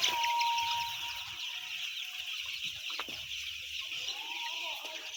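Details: Thousands of white chicks, about 10,000 in all, fill the air with dense high peeping, a steady shrill chorus, with a clear tonal whistle-like note at the start and again near the end.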